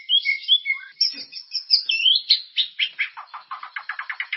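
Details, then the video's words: White-rumped shama producing an energetic lure song for caged birds. High warbled whistles at first, then a quickening run of rhythmic chirped notes that grow denser and faster toward the end. "Suara pancingan burung murai ❗gacor dan berkarakter"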